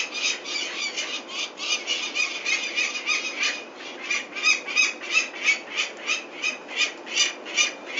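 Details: Peregrine falcons in Venlo, 21 May 2024, during removal of the chicks for ringing: continuous grating cackle, harsh notes repeated about three times a second throughout, intensity rising and falling.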